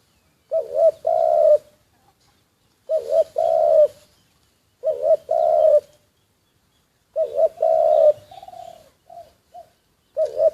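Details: Spotted dove kept as a decoy bird, recorded covertly, cooing in low hollow phrases: four two-part coos, each a short note then a longer one, repeated about every two and a half seconds, with a few softer trailing notes.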